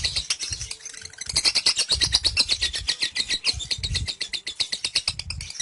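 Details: Ngekek from a kekean-type lovebird, a lengthy chattering song, about 30 seconds, delivered with head raised. Shrill, buzzy chirps pour out rapidly, pausing briefly near the start, then racing on with rising intensity.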